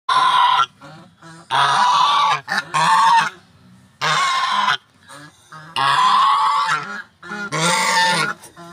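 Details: A very big white male goose honks loudly and harshly in long blaring bursts, about six over nine seconds, with brief quieter pauses between them.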